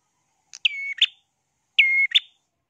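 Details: Bar-winged prinia in energetic full song: two identical phrases about a second apart, each a buzzy opening, a steady mid-pitched whistle, then a sharp buzzy flourish, on a clean silent background.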